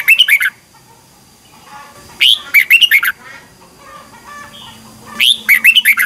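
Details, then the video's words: A red-whiskered bulbul in morning song contest gives three spaced phrases, roughly every three seconds, each a quick sequence of sharp, rich whistled notes rising then falling, with quiet between phrases. "chào mào hót đấu"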